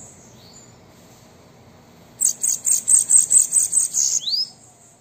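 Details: Bananaquit song to prompt a caged bird, a two-second run of about ten bright, buzzy high notes at a steady fast rhythm, ending in a short rising slurred whistle.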